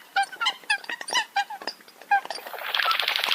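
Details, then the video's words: Short nasal honks and upslurred notes from several Eurasian coots, then a rush of broad hissing noise covers the final second. "tiếng chim sâm cầm"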